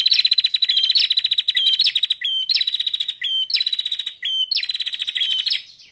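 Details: A female bar-winged prinia gives rapid, high, scratchy trills in bursts of about a second, each ending in a short whistled note; the calls are used to stimulate males to sing.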